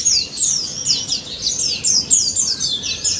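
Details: Daput white-eye singing hard in ngalas fashion, meant to coax silent white-eyes: brisk series of high, down-slurred whistled notes repeated in quick bursts, continuous and bright.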